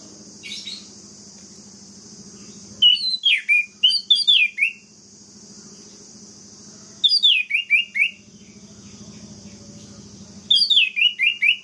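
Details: Orange-headed thrush singing to provoke other birds of its kind: three phrases of rapid, wavering whistles that tumble downward in steps, delivered about every four seconds over a continuous low hum.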